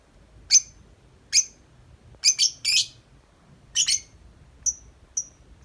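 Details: Tame lovebird outside its cage giving long nonstop 'ngetik' chatter: sharp, high, clicky chirps, single and doubled, spaced irregularly about a second apart over a quiet background.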